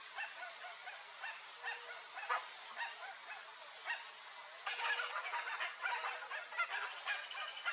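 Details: Flock of chestnut-bellied guans (Penelope ochrogaster), a rare species, in the Pantanal gives harsh, honking calls in short overlapping bursts, growing louder and denser toward the end, over a steady hiss of insects.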